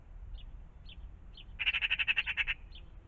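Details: A few thin, high chirps from other birds, then a magpie's loud, scratchy rattle of around ten rapid notes lasting about a second, heard in the morning around a pond.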